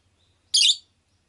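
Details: Single pet rosy-faced lovebird, Agapornis roseicollis, gives one loud harsh broadband chirp lasting about a quarter second, otherwise quiet with a faint low hum.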